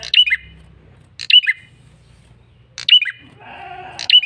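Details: Male bar-winged prinia lure call: loud, high chirped phrases that fall quickly, four in a row at uneven gaps. A nasal, bleating sound comes near the end over a faint low hum.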